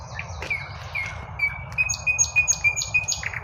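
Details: Birds rejoicing in spring at midday, a clear piping note repeated about four times a second with higher chirps layered above, light traffic hum below.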